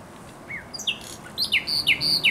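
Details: A short passage of high, sliding whistles that rise and fall, sung by a thrush nightingale at the Żerań Canal on 24 April 2022.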